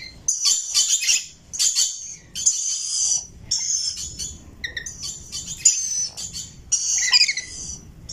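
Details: Rainbow lorikeet, a parrot, chirping and singing: bursts of shrill, screechy high-pitched chatter about half a second to a second long, repeated with short gaps, some harsher buzzy notes among them, faint low rumble beneath.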